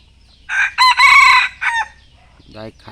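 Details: Rooster for sale crowing, recorded 26 July 2023 in Thailand: one loud harsh crow of several stacked segments lasting about a second and a half, ending in a drawn-out note, followed by a short lower cluck.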